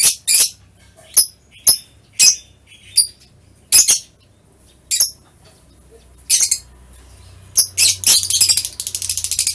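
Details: Lovebird calls recorded on 21 March 2023: a series of sharp, high, separate squeaks spaced about half a second apart, ending in a fast buzzy chatter.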